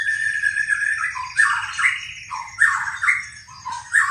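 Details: White-rumped shama giving lower, mellow whistled phrases with rich slurred notes, pausing briefly between bursts, with a faint low hum underneath.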